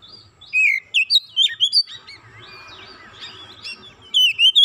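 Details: Oriental magpie-robin agitated by a single provocation, with isian phrases: a series of clear looping whistles, a softer warbled stretch, then three more strong whistled notes to close.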